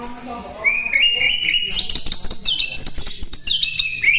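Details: White-rumped shama song used as a training recording for birds to imitate: a long whistle that steps upward, then a dense rush of sharp clicks and high chirping notes running to the end.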